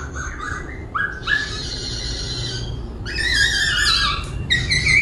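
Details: Caged laughingthrush singing while dancing and constantly switching voice: loud rich whistled phrases with strong harmonics, short rising notes then long sustained warbled strings, separated by brief pauses, over a low steady background hum.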